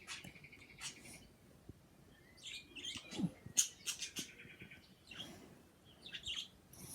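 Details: Two pet birds making kissing sounds and chirping, a busy stream of short high chirps, trills and kissing smacks in rapid irregular succession.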